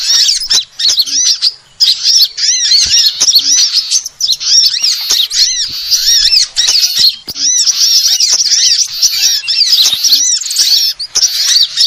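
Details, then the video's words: Sunbird calls meant to lure birds: nearly unbroken high-pitched twittering, quick repeated arched notes from overlapping callers, a few short pauses. "suara pikat semua jenis burung kolibri paling ampuh"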